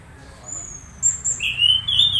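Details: Orange-headed thrush (anis merah) making strange sounds during conditioning: thin, very high drawn-out whistles, then a louder, slightly rising squeaky note near the end.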